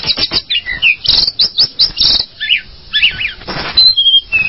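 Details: Tledekan gunung, a mountain flycatcher, giving rapid high chirps and short slurred whistles in quick bursts, with dry rustling clicks between phrases and a thin level whistle near the end.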